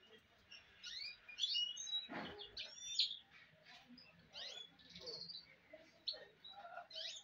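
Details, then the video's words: Goldfinch hybrid producing scattered high chirps and fast downslurred twitters, interrupted by a loud rustling thump, over a faint background hiss. "le chardonnet chant mulet"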